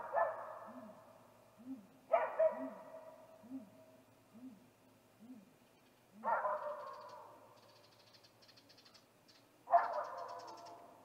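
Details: Great gray owl male vocalizing by a snag tree nest, evening of 21 April 2019, ahead of a nest visit: a run of low muffled hoots under repeated harsh, broad rasping screeches, with faint high ticking later.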